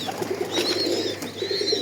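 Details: Small pigeons, two offered for sale, giving low soft coos in quick throaty pulses that repeat through the whole stretch, with thin high whistled notes rising and falling above them.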